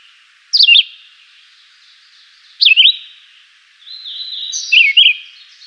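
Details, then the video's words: A chivi vireo sings simple melodious phrases, three short swooping whistles spaced about two seconds apart, each falling sharply then rising, with soft reverberation trailing behind. "Canto simples e melodioso da JURUVIARA, Vireo chivi, Chivi Vireo"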